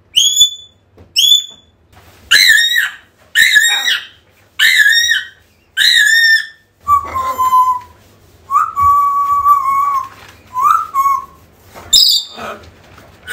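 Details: African grey parrot calling, sounds meant to draw a lost bird back: clear descending whistles followed by a run of rich harmonic squawks roughly every second, then lower level whistles and a final sharp shriek.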